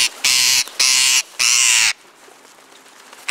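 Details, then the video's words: Rose-ringed parakeets eating from a hand near feeders, calling loudly: three harsh, broadband screeches in quick succession, each about half a second long, followed by quiet. "PERRUCHES à COLLIER dans ma main, qui crient"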